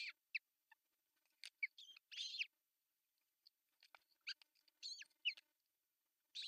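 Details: Osprey nest in Satakunta, Finland, June 10, 2024, with the male bringing a big fish; clicks and short high chirps interspersed with brief harsh whistled bursts.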